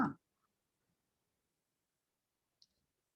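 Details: A single short click opens a stretch of near silence, broken only by one tiny tick later on.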